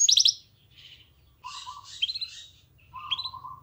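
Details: Canary singing a master song meant to prompt other canaries to sing: a quick high trill, then scattered buzzy phrases and a lower rolling run of repeated notes, fairly faint over a steady low background hum.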